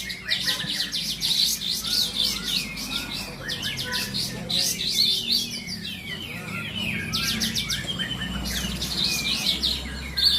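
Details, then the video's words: Contest kapas tembak bulbuls in cages at Bonjol, Pasaman Timur sing in bursts of fast overlapping chirps and warbles, with background chatter from spectators. "Kelas Kapas Tembak"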